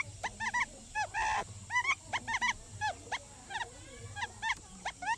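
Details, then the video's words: Decoy quail uttering lure calls: soft, upward-flicked chirps in pairs and threes, irregularly spaced, with one brief buzzy burst and a low hum in the background. "Tiếng Chim Cút Mồi Kêu Chuẩn"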